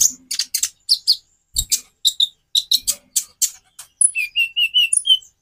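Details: Konin (Van Hasselt's sunbird) song variation: a dense run of high, scratchy chips that turns into a string of clear, short, slightly rising whistled notes near the end, with faint low knocks.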